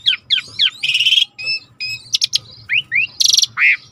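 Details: Jalak suren (Asian pied starling) song played to trigger singing: rapid chattering, grating buzzy phrases and upslurred whistles alternating in a busy, irregular pattern.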